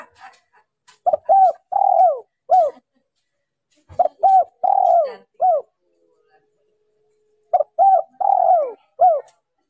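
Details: Female spotted dove calling to stimulate males: three phrases, each a few short hollow coos followed by a longer drawn-out coo and a falling final note, spaced about three seconds apart in a quiet setting.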